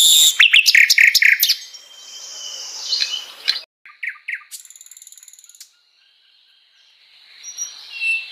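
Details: Varied flycatcher (sikatan londo) song with a quick volley of clipped chips, a soft warble, short bursts of paired notes and a fast dry rattle, then a faint thin whistle.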